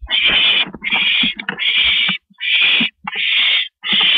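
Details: Barn owls, a male delivering food to his mate on a porch, filmed in the evening of April 16, 2012 at 8:25 PM; harsh broad hissing screeches come in bursts about a second long with short gaps, plus faint thumps.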